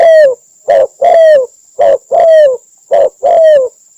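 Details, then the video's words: Spotted dove call used as a lure for trapping in Cambodia: loud, hollow coos in a steady pattern of short and longer notes, each longer note sliding slightly downward, with a faint steady high whine behind. "Sound Bird Spotted Dove mp3 សម្លេងធ្នាក់ទាក់សត្វលលក"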